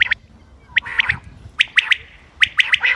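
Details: Common quail, 28 May 2025, sounds for hunting: sharp high notes in quick triplets, three groups in a few seconds, with a soft buzzy tone trailing between them.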